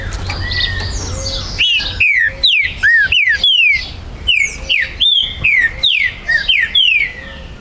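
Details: Green-winged saltator at a bird breeder's premises, recorded 19 September 2020, singing to provoke a territorial rival: about ten loud, clear whistled notes sliding downward, in quick phrases after a quieter start of soft chirps from other birds.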